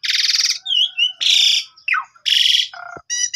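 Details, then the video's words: Javan pied starling song used as a morning lure for silent birds, recorded on a phone: loud harsh rasping bursts alternate with short whistles, a falling slur, a low buzzy note and stacked chips. "PANCINGAN WAJIB TIAP PAGI !! JALAK SUREN BISU LANGSUNG GACOR MOMPA"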